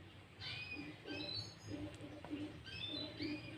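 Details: Sooty-headed bulbul song for luring other bulbuls: brief bright upslurred whistles in small clusters, separated by short pauses, with a soft low pulsing sound beneath.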